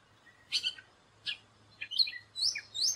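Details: Gray catbird uttering a few squeaky, scratchy notes and short slurred whistles in quick succession, with a faint low hum behind.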